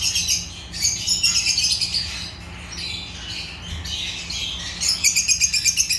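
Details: Agapornis lovebirds, African lovebirds kept as pets, chirping: dense, shrill high chatter of several birds in overlapping bursts, pausing briefly and then resuming louder with rapid repeated notes.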